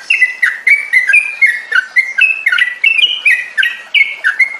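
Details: Lure song of a yellow-vented bulbul, played to coax kept birds into steady ngropel singing. Rapid chattering phrases of slurred, jumping notes pour out almost nonstop over four seconds.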